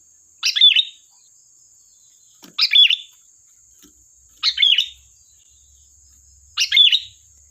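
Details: Sooty-headed bulbul lure song, four bright bubbling phrases repeated about every two seconds, each roughly half a second long, over a steady high-pitched whine and faint low rumbling.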